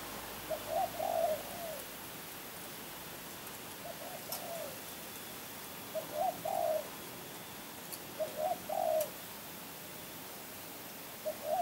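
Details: Champion spotted dove in Kebon Kacang repeats a short cooing phrase roughly every two to three seconds, each a couple of clipped notes and a louder swelling coo, soft and mellow with light background hiss.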